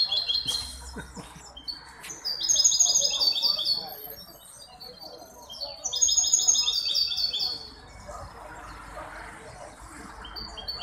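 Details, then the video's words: Hybrid goldfinch singing at a song competition held by the Ain Chock bird association in Casablanca on 23 May 2021: bright high twittering phrases and fast rattling trills in two loud bursts, separated by quieter scattered chirps over a soft background murmur. "مباراة تغريد هجين الحسون"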